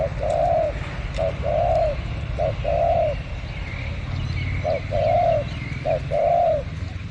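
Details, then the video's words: Behind house plants, a spotted dove used for luring repeats a two-part call, a short coo then a longer, fuller burry coo, with pauses between phrases, faint chirps and a steady low hum. "Pikat burung terkukur2022"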